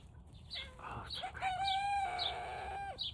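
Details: Turken rooster learning to crow around 5 am gives a squeaky, drawn-out crow. It starts with a rough rising note, then holds a steady high tone for over a second before cutting off. Small birds chirp steadily in the background.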